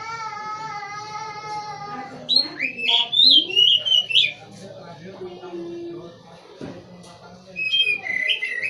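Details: A prized caged white-rumped shama sings a burst of loud, rapidly varied whistles and chattering notes, following a steady tonal hum with stacked overtones; another short whistled phrase closes the recording.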